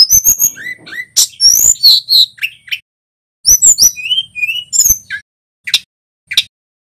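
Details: A male Tledekan Gunung sings loudly for use in training songbirds. The fast runs of high chirps and curved whistles, including some lower whistled notes, thin out into a few isolated sharp calls.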